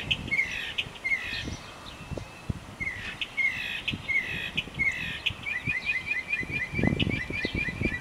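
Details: Singing mockingbird giving short bright phrases in groups, then a fast run of repeated high chips near the end, over light background rustle and low noise.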